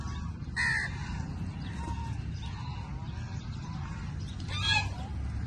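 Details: Crows snatching food from each other; two harsh, hoarse caws about four seconds apart over a steady low rumble of background noise.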